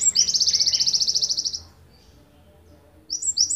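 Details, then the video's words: A Java sparrow from Ponorogo gives a long, fast, high-pitched trill of bright ticking notes lasting over a second, pauses, then starts another high phrase. "Gelatik wingko tembakan panjang"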